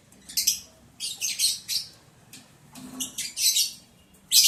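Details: Lovebirds kept for breeding, recorded on day 11 of breeding progress, 11 July 2022, during mating. Shrill, high chirps come in rapid clusters of short bursts, with quiet pauses between groups and faint low rustling underneath.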